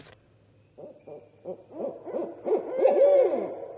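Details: Barred owl; territorial call; defending territory against another pair or intruding owl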